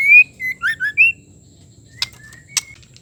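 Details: Female white-rumped shama call meant to stir a male to sing: a bright rising whistle followed by three quick slurred notes, then a short pause and two sharp clicks with soft whistles.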